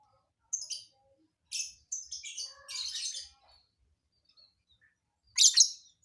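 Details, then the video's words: Lovebird with a surprising song fill: a string of short, shrill, scratchy notes building into a longer grating chatter, then a loud harsh burst after a pause. "Burung lb isian aneh"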